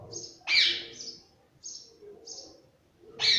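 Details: Pet parrot giving harsh, high screeching calls: a loud rasping burst, then short thin squeaks, and another harsh screech at the end. Faint indoor background noise.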